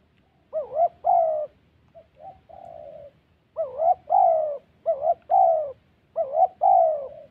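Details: Spotted dove calling during decoy trapping in the Central Highlands forest, Gia Lai, Vietnam. Clear phrases of a quick rising-and-falling wobble followed by a longer drawn, sliding coo, repeated in groups after a short quiet spell, against a nearly silent background.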